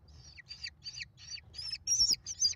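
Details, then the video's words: Nestling American kestrels, five chicks fed by their mother, recorded on a nest camera in late May: six or seven short, high, buzzy squeals with falling tails, spaced about a third of a second apart, growing louder toward the end. "Mom faces the mob! American Kestrels."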